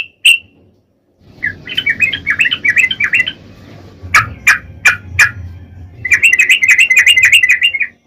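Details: Sooty-headed bulbul giving rapid-fire ropel song as a lure for other bulbuls: quick warbling runs, a set of sharp spaced notes, then a long fast trill of bubbly whistles over a low hum.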